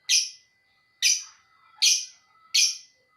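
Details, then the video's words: Lovebird calling with sharp, harsh, shrill chirps, each one short and repeated about every three quarters of a second, with a faint steady tone running underneath. "Kurang 1 menit burung love birth mu bakal ngekek abisss"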